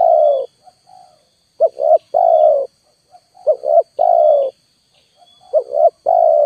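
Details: Repeated coo phrases of a spotted dove used as a lure, each a short double coo followed by a long drawn coo about every two seconds, with soft low coos between and a faint steady high hum.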